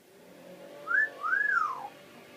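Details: Pet talking parrot gives a two-note whistle indoors: a brief upward note, then a sustained arched whistle descending at its end, over soft background noise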